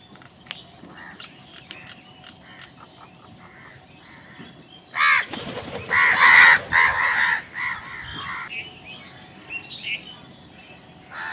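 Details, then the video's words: Crows squabbling over food: after a quiet start with faint ticks, a burst of loud, harsh, overlapping caws comes in rapid succession over about three seconds, then fades into scattered softer calls. "কাকের ডাক Crows fight for food Crow Sound"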